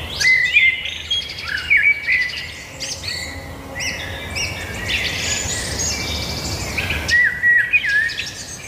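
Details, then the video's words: Lively birdsong with sharp whistled notes and twitters at the start and again near the end, a softer stretch of distant chirping in between. "birds singing"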